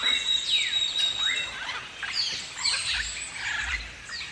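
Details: Galah, the pink and grey rose-breasted cockatoo of Australia, giving a busy run of screechy, sliding calls in rapid overlapping bursts over several seconds, with no other clear sounds.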